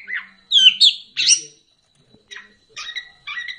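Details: Orange-headed thrush recording used as a lure to stir lazy birds into full song: rich, warbled phrases twisting up and down in a quick loud burst, then softer squeaky notes after a short pause.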